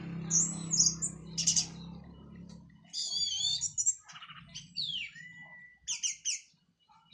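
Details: Orange-headed thrush from Cililin, just finished molting, singing in the teler style: scattered high whistled and chattering phrases with a slurred falling-then-flat whistle, over a low hum in the first few seconds.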